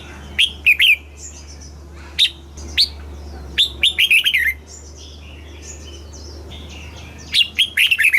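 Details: A red-whiskered bulbul from Thailand sings southern master-style song for exciting caged birds and teaching young birds. Repeated short phrases of bright, downward-slurred whistles sound over soft background bird calls and a low hum.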